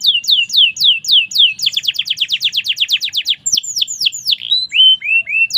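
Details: Canary singing energetically, quick falling whistles leading into a fast rolled trill, then scattered sweeping notes and a few lower drawn-out whistles.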